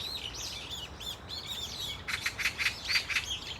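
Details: A flock of Brown-eared Bulbuls at Dunsan Grand Park giving varied calls: overlapping short, high chirps and squeals, a faint scattered series at first, then a louder burst of sharp, rapid notes about twice a second in the second half.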